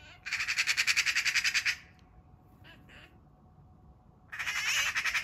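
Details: Eurasian magpie (Pica pica) in a backyard, during a roughly 15-minute attack by a Eurasian sparrowhawk that a second magpie joined, gives a harsh, rattling chatter of rapid dry notes in two loud bursts separated by a short quiet gap.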